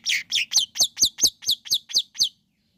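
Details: Long-tailed shrike song to provoke other shrikes: a fast series of about ten harsh, raspy notes, each dropping in pitch, delivered roughly five per second before stopping.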